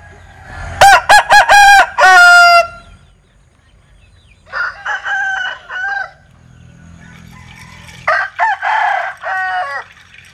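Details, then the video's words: Linh Kê breed rooster giving an unusual, strange-sounding crow: three bouts of harsh, harmonic, stuttering notes, the first loud and broken into rapid pulses, then two softer, choppier phrases after pauses, with faint low background rumble. "Tiếng Gáy Độc Lạ. Gà Linh Kê/ Strange Crow Sound"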